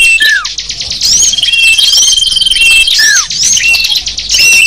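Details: Small birds singing as a lure for wild small birds, known locally as sapu jagat: dense high twittering with sharp falling whistles and buzzy trills, several voices overlapping continuously.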